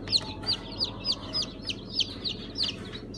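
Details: Chicks just out of the egg, a 1 September 2019 hatch mixing Brahma, Sultan, İspenç and Ameraucana breeds, repeat piercing high peeps roughly every third of a second, slightly irregular, over fainter chirps and a steady low hum.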